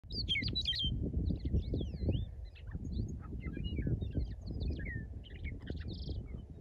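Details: Wild western meadowlark in the Rock Top area of Washington state, singing varied, warbling and sliding high notes that come and go in a jumble, over heavy, constant low rumbling wind noise.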